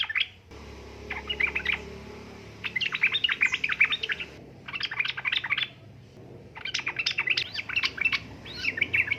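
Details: Calling female yellow-vented bulbul in heat, used to draw males into song: four bursts of fast, lively chattering notes separated by short breaks, over a faint low hum.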